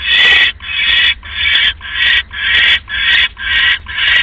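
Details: Owl at its nest before dawn, 3:40 AM, October 5, 2015, while a rat is delivered as prey. Loud, breathy screeching rasps, each about half a second long, follow one another steadily, around eight in four seconds.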